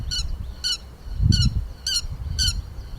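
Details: Grey-headed lapwing call used as a lure for trapping birds: five sharp, ringing, harmonic notes repeated about every half second over a low rumbling background.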